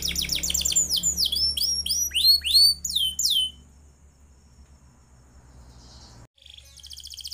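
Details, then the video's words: Atlantic canary singing a long rolling song, used as a tutor for other birds: fast cascades of high, sweeping, descending whistled notes packed tightly for about three seconds, then near silence with a brief faint buzzy burst. "KENARI GACOR ngeroll panjang sangat cocok buat MASTERAN SEGALA JENIS BURUNG."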